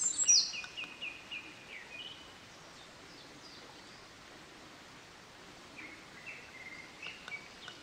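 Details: A Eurasian Wren, close by a stream on 24 May 2013, sings competitively after a distant Japanese Thrush starts singing: fairly faint bursts of rapid, high twittering notes in quick runs, pausing mid-way, with steady outdoor hiss.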